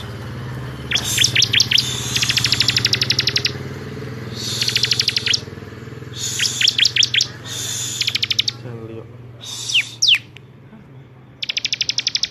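Bar-winged Prinia giving bursts of fast, high, dry ticking notes mixed with sharp rising whistles, phrases every second or two, over a low steady hum.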